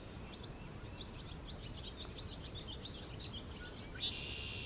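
Barn swallow giving a rapid run of high, chattering chirps for about three seconds over a steady low rumble, ending in a brief hiss.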